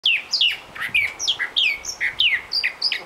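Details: Mockingbird singing in January on Long Island in the central Bahamas, when serious singing begins ahead of spring: a rapid, varied stream of clear slurred whistles, many falling in pitch, delivered almost without pause.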